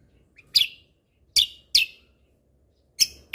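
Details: Lesser green leafbird delivering loud, isolated chip notes in gacor mentalan style, four sharp downslurred bursts spread over a few seconds with silence between them.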